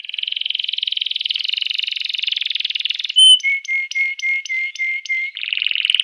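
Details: A canary sings a stimulating song for other canaries: a long sustained buzzing trill for three seconds, a sharp whistle, then a string of short, even, flat notes and a renewed trill.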